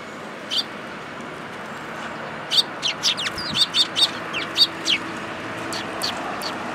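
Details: Sparrows arriving at a feeding spot in a plum tree at a Tenmangu shrine on 2 July 2022 to be given food; quiet at first, then a quick run of about ten short, sharp chirps over background hum.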